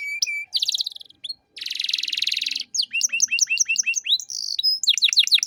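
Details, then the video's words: Canary master song in 'cengkok mewah' style for tutoring other songbirds: short flat whistles, a dense buzzy rolling trill, then a long run of quick repeated slurred chips and falling notes. "Masteran Kenari Gacor Cengkok Mewah untuk Burung Bahan"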